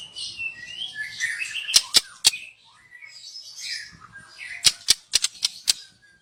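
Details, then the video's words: Young white-rumped shama from the forest, used as a lure, sings soft scratchy warbling phrases broken by series of sharp, loud snapping clicks; faint low rumble beneath. "Kicau burung MURAI BATU Muda Hutan"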